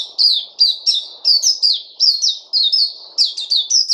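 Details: White-eye known locally as Puteh, recorded 29 August 2020: rapid series of high, clear chirping notes, each sliding downward, delivered in quick bursts with brief pauses, over a faint low background hiss.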